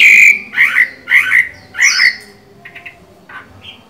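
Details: Chinese hwamei with green eyes, in moult, gives four loud harsh rasping notes about half a second apart, followed by a few faint soft chips.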